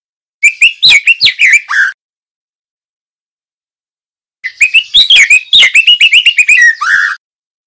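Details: Young male white-rumped shama, juvenile with speckled plumage, sings to teach other birds: two phrases of rapid mixed whistles and chattering notes, each finishing on a low drawn-out whistle.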